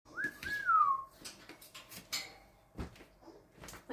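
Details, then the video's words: A pet African grey parrot imitating household sounds indoors gives a loud whistle that rises and then glides down. Scattered clicks and knocks follow, and a woman's voice speaks at the end. "African grey immitates phone barks and burps"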